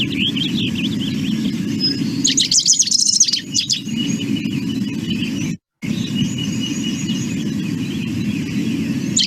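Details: A Rufous-crowned Sparrow song, described as hard to characterise and best learned by repetition, a quick, jumbled burst of high chattering notes between thinner chirps, over a steady low rumble with a brief silent gap.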